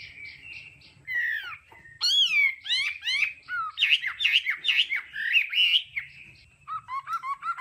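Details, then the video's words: Song of a kept Hwamei: sweeping loud whistles and slurred phrases, a run of quick repeated looping notes, then a descending series of short repeated whistles. "Âm thanh luyện giọng họa mi hót đảo âm hay nhất"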